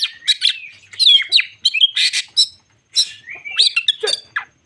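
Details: Crested magpie-robin (kacer jambul) singing a bait song meant to rile other magpie-robins: loud, rich phrases of sweet whistles, slurred rising notes and harsh chirps, broken by short pauses.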